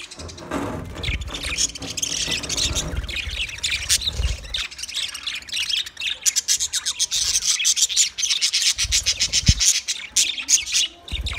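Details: Chorus of many budgerigars, twenty pairs together, chattering in dense overlapping high chirps and warbles, with loud low rubbing and scraping thumps in the first four seconds.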